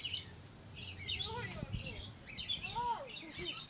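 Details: At Lion Country Safari in Florida, a red-collared lorikeet gives sharp high screeches about once a second, separated by softer curving chatter notes.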